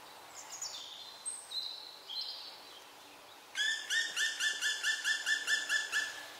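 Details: Young black woodpecker whose siblings have fledged, no longer fed by its mother and not yet daring to leave, calling for food: a fast series of about twelve hoarse, harmonic notes, preceded by thin high whistles from other birds.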